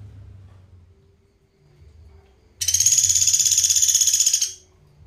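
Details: Pelatuk beras woodpecker giving a master-recording call for training songbirds: a dense, high, buzzy rattle of rapid repeated notes, about four per second, lasting nearly two seconds after quiet low hum.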